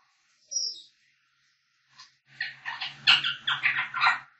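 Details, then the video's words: An African grey parrot sings and whistles: a high, clear whistle, then a rapid run of harsh, warbled notes, five or six in two seconds, with a low buzzy undertone. "African grey parrots singing"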